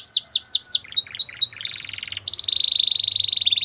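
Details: Canary's training song: four swooping whistles, clipped chips, a buzzy rolling trill, then a loud, very fast high trill.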